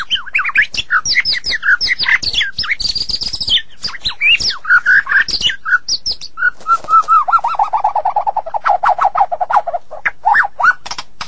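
A white-rumped shama sings a rich, fast run of varied whistles and chattering notes, ending in a long series of rapid, descending repeated notes.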